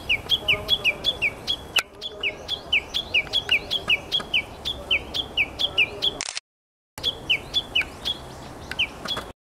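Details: Japanese bush warbler in tani-watari, a rapid rolling series of paired high notes, a level whistle then a quick descending slur, repeated steadily; a camera shutter click and a brief silent gap interrupt the run partway.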